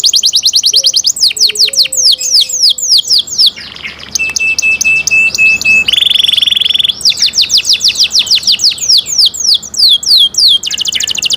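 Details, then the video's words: Canary singing long, loud sequences of rapid sweeping notes, with a steady mid-pitched whistle and a harsh buzzy section in the middle before the fast trills resume. "canary Nice sound"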